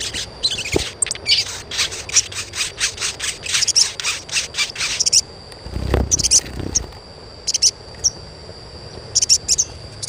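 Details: Chirping of an Asian pied starling, used to prompt untrained starlings to sing: a fast run of sharp, high chirps for about five seconds, then sparser chirps, with a few low thumps and a constant high hum beneath.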